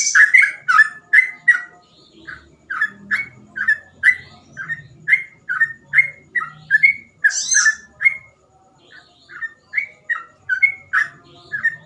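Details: Long, steady 'ropel' song of a sooty-headed bulbul for tutoring or luring: about thirty short whistled slurred notes in an even run, roughly three per second, with a faint low hum beneath.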